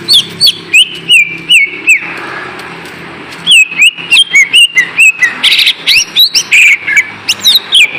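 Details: Lesser green leafbird song used as a lure to make lazy kept birds sing: bursts of clear, sliding whistled notes and quick chirps, some dropping in pitch, in rapid runs separated by short pauses.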